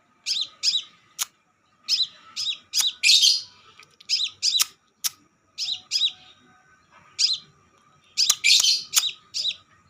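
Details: Crimson sunbird lure recording: high, thin twittering phrases repeat in groups of three or four, with short pauses between them. Sharp clicking taps cut in now and then, and a low electrical hum runs underneath.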